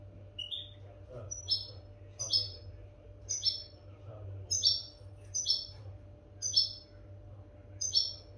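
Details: European goldfinch recording for training captive goldfinches: short sharp chirps repeated about every three quarters of a second in a steady series, over a faint low hum and soft background voices.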